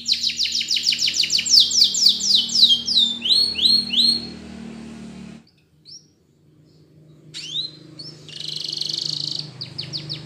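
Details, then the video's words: Yellow Spanish Timbrado canary song for training: fast repeated downward notes and rising slurs for about five seconds, a near-silent break, then the bird resumes with rising whistles and a steady buzzy trill, light hum beneath. "Canary Bird Sound For Training!! Yellow Canary"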